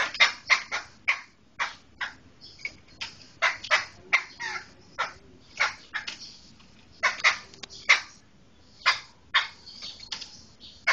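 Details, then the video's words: Black laughingthrush of the poksai hitam Medan type delivering a long series of harsh, scratchy bursts, some doubled or tripled in quick succession, with uneven gaps between groups. "Suara Kicau Burung Poksai Hitam Medan"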